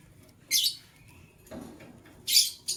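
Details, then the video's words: White lovebird of a couple chirping in the morning: a harsh high chirp, a quieter softer note, then a loud shrill chirp followed by a short clipped one. "White LoveBird Chirping Sounds"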